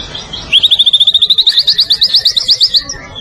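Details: White-rumped shama of the Medan type in steady song for training other birds: a long, rapid, regular trill of about twenty-five crisp high notes held at nearly one pitch for over two seconds.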